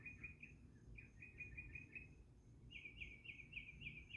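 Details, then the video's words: Bird singing outdoors: quiet repeated chirped notes in short runs, then a brighter series of paired notes about three per second, over steady low background noise and faint high insect-like ticking. "bird singing"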